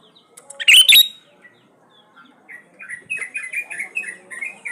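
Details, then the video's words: Sooty-headed bulbul (kutilang) in lively, full gacor song meant as a lure for quiet birds: a loud, sharp whistled burst, then a run of short, bubbly whistled notes rising and falling in quick succession. "SUARA PANCINGAN BURUNG KUTILANG GACOR ISIAN COCOK BUAT KUTILANG MALAS BUNYI"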